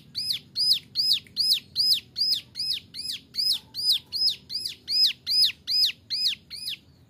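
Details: Bar-winged Prinia, a young male ciblek gunung, delivers 'nembak variasi' song used to tutor other birds: roughly eighteen sharp, high, arched notes repeated rapidly and regularly, loud against a quiet background.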